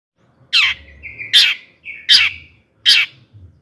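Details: Long-tailed shrike singing in the lively 'toet toet' style, used to provoke other shrikes into song: four loud, harsh, rasping notes about three-quarters of a second apart, joined by short flat whistled tones, with a quiet background.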